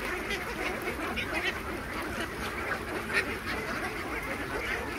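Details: A large farmed flock of Khaki Campbell ducks, about 3000 birds, keeps up a continuous hum of quacking at feeding time. One sharper call stands out near the end.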